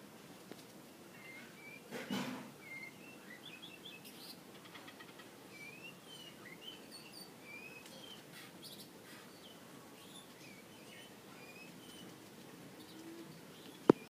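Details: Mongolian lark singing and dancing on a stage: a run of thin, varied whistled and warbled notes, quick and scattered, with a brief rustle early on and a sharp click at the very end.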